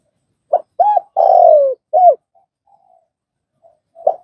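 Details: Mellow coo phrase of a spotted dove, meant for training newly trapped doves: short note, two-part coo, long sliding coo, closing short note, then faint soft murmurs and a single note starting again.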